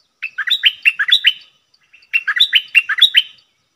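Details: Red-whiskered bulbul kept as a decoy bird, calling: two bursts of quick, liquid whistled notes, each about a second long, with rising and falling slurs, separated by a brief pause. No other sounds.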